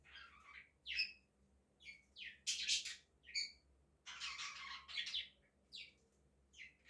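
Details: Budgerigars in a newly set up colony chatter with quick, scratchy chirps and warbles, several birds calling over one another.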